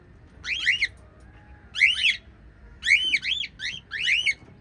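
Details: A family of five white lovebirds chirps loudly in repeated bursts of shrill, upswept, slightly buzzy notes, roughly one burst per second, some bursts doubled.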